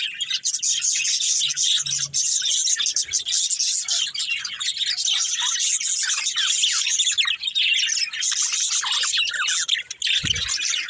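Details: Pet budgerigar family group, many birds chattering at once in a steady stream of rapid high twitters and short squeaky notes, a busy overlapping chorus throughout, with a brief low thump near the end.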